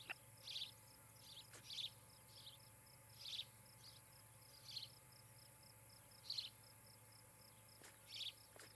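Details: Ospreys at their nest near Charlo, Montana, recorded by a nest camera on the evening of 17 July 2018: short, high, squeaky chirps come in loose bursts about every one to one and a half seconds, over a steady pulsing high insect-like tone.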